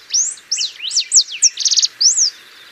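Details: Ringed warbling finch song, a species found in Bolivia, Argentina and Paraguay: a quick phrase of sharp, high slurred whistles, a short rapid trill in the middle, and a final downslurred note, clean and loud.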